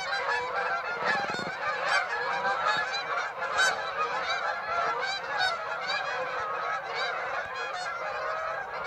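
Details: Dense chorus of honking Canada geese at Birds Hill, 26 September, with many birds calling at once in harsh, nasal, overlapping honks and a few louder, higher yelps rising above the din.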